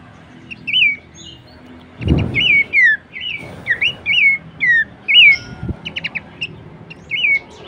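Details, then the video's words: Horsfield's babbler vocal material for training songbirds: evenly spaced whistled phrases, each a short rise and downward slide, about one per half second, with brief rustling bursts and a soft tap. "materi vokal mewah cetak jawara dengan masteran Topcerr khas burung pelanduksemak."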